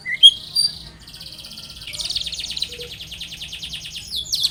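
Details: Long-tailed shrike singing as a lure to prompt another shrike to call back: a few high sharp whistles, then a long rapid buzzy chattering trill that grows louder and ends in scratchy notes.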